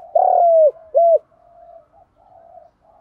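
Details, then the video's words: Spotted dove coos, with male and female birds heard, played to stimulate captive doves to call. Two loud, low, steady coos come first, the second shorter, followed by softer drawn-out coos repeating at a similar pitch. "chim cu gáy kích bổi nhanh nổi, cu gáy"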